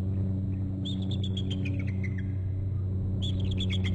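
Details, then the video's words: Two peregrine falcons trill as another bird flies by, one then flying around to land. Bursts of rapid clipped notes that slide downward and then come again, with a constant low mechanical rumble beneath. "Fly by and both trill at it . fly off and around to land crook trills"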